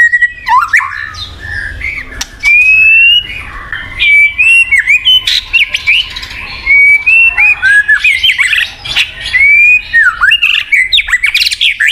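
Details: Murai batu, the white-rumped shama, singing to prompt a non-singing bird: long varied run of sharp whistles, slurred notes and clicking chatter, loud bursts separated by brief pauses.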